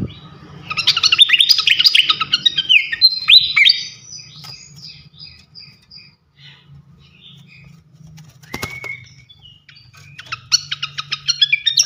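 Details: Srikatan kipas (fantail) singing ngeplong: a burst of fast, dense, high twittering and whistled slurs, a quieter middle with a short rising whistle, then another quick run of sharp chips over a faint low hum.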